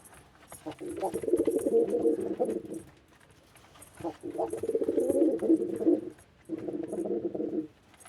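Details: White male pigeon giving deep, warbling coos in three long rolling phrases, each lasting over a second, with quiet gaps between and light scratching noises behind.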